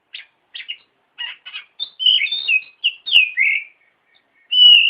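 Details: Oriental magpie-robin training song for other birds: short buzzy chips build into a sequence of melodious whistled slurs and descending notes, ending with a sustained clear whistle.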